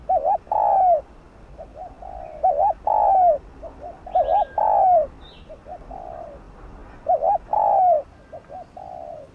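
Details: Spotted dove cooing to lure wild doves and excite decoy birds. Repeated phrases of a short wobbling note and a longer descending coo, with faint quiet coos in the gaps, over about nine seconds.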